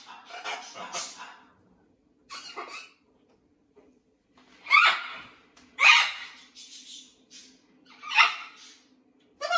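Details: Blue-and-gold macaw, a rescued bird adapting to a new flock at a parrot sanctuary, giving harsh raspy squawks and chatter in irregular bursts, some loud, with quieter calls between and a faint steady hum indoors.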